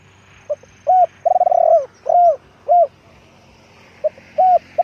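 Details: Decoy spotted dove repeating its coo phrase twice: a soft short note, a rolling purring coo and a few rounded falling coos, spaced about a second apart over faint background hiss.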